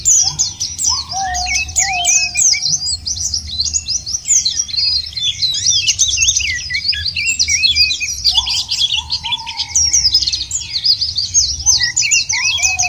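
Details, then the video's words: White-eye singing used as nature therapy to get birds singing: non-stop busy high twittering and warbling, with lower long flat whistles appearing at the start, middle and end. "jangankan pleci burung lain aja pada gacor"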